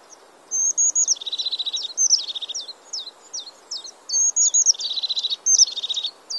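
European crested tit giving high, thin notes that run into a rolling, purring trill, the phrase heard twice in quick succession over faint background hiss.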